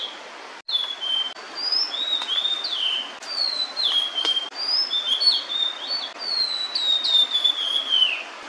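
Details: Singing while holding food, a female blue-and-white flycatcher delays returning to her chicks. She gives a nearly unbroken stream of high, sweet whistles, slurred up and down in varied short phrases, with a few faint clicks.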